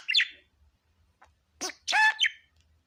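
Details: Happy pet budgerigar making a few brief calls: a short rasping chirp, a pause, then a loud harsh squawk followed by a quick chirp.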